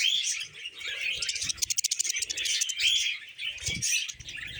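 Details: Several happy pet budgerigars singing while eating vegetables: a dense, continuous high chattering warble with quick buzzy notes and a burst of rapid clicking ticks midway, plus low thuds from feeding.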